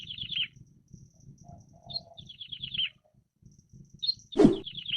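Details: Plain prinia singing in the wild: short cascades of buzzy notes falling in pitch, repeated with pauses, plus a sudden loud knock near the end.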